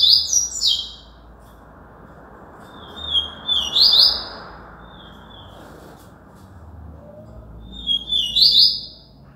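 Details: Yellow-bellied seedeater in Alagoas, Brazil, repeating its high song in three bursts roughly every four seconds. Each burst mixes clear slurred whistles with fast buzzy trilled notes, and there is faint low rumble between phrases.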